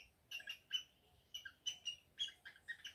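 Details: Caged male cockatiel courting the female for mating after the nest is ready; short clusters of high chirps and squeaky notes in quick pairs, spaced by brief gaps over a few seconds.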